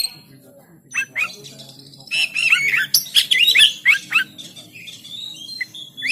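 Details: Oriental magpie-robin from Banten, recorded by Android phone to encourage birds to sing: quieter opening, then a flurry of curling whistled notes and chirps over faint background hum.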